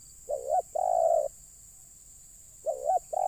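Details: Spotted dove used to lure wild birds, giving two coo phrases, each a short clipped rising note followed by a drawn-out mellow coo, with a pause between, against faint constant hiss.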